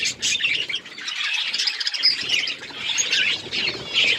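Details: A colony of budgerigars chirping steadily, busy overlapping high twitters and squeaky notes with a few thin whistled tones standing out.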